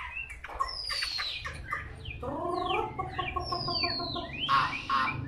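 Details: Chinese hwamei, a wild-caught 'bổi' bird noted for tail-fanning, delivering a string of sharp downward-slurred whistles mixed with rich, harmonic, throaty notes repeated in quick series, some background rumble.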